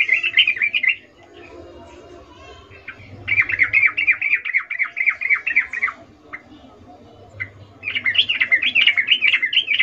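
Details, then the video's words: Female sooty-headed bulbul calling the male with a breeding-condition ngecuplik call, used as a lure to get bulbuls singing: three bursts of rapid, wavering, chattering notes separated by short pauses over a faint low hum. "Trucuk BETINA memanggil Jantan Suara Birahi Ngecuplik"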